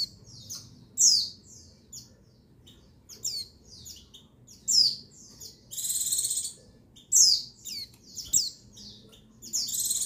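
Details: Female white-eye call, used to stimulate male buxtoni white-eyes into singing: very high, thin, sharply descending chirps in short clusters, separated by pauses, with longer bursts of dense high trilling; a quiet low hum in the background.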